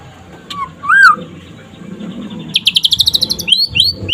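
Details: White-rumped shama (pastol type) singing during the day to stimulate other shamas: soft slurred whistles over background hum, then a brief run of fast repeated high notes and two rising chirps.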